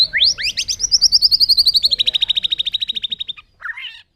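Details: A bird, recorded in 2021, gives a fast, high trill of rapid repeated notes. It opens with a few rising slurs, then runs steadily for about three seconds while slowly dropping in pitch. A short buzzy chirp follows the trill.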